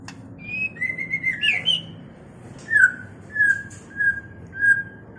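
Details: White-rumped shama mating song as a training recording for cage birds: a few varied whistled and warbled notes, then steady, clear, slightly falling whistles repeated roughly every two-thirds of a second.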